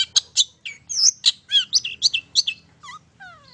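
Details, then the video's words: Brief long-tailed shrike song used as a lure for other birds: harsh scratchy chirps and buzzy notes in quick succession, ending with two thin whistles that slide downward. "PANCINGAN TERBAIK!!! CENDET MAIN SATU TITIK"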